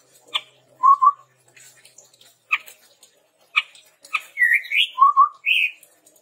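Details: Chestnut-rumped babbler song used as a lure and tutor for training birds: low whistled notes, a short warbled phrase, and rising upslurred whistles, separated by sharp clicks and brief pauses.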